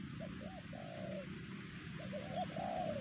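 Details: Spotted dove, a wild bird targeted by trappers at Siosar, giving two quick hollow coos followed by a drawn-out falling coo, then repeating the phrase, with a low continuous hum behind it.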